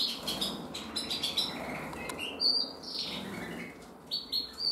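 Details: Canary hen, a red-black intensive bird from 2024, giving bursts of high clipped chirps and short whistled slurs in irregular groups, with quiet gaps between.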